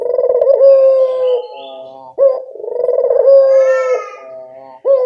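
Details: Barbary dove of a local strain, recorded as a lure so wild doves respond, giving long low coos with a burred, rolling onset followed by a smooth held note, two phrases with a short sharp lead-in between.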